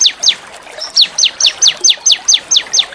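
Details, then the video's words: Small songbird's training song used to provoke white-rumped shamas and oriental magpie-robins into singing; about ten sharp high downslurred notes, one roughly every quarter second, after a brief pause. "masteran burung kecil agar murai batu gacor"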